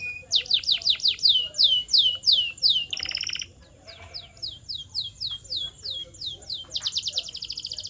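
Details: Canary singing, offered as a sound to train canaries: a run of loud downward-slurred whistles, a brief rolling trill, softer swooping notes, ending in a fast trill.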